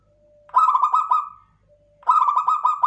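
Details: Local zebra dove of the klowongan kind. Each phrase opens with a quiet steady tone, then breaks into a loud rattling string of quick cooing pulses. Two phrases are heard.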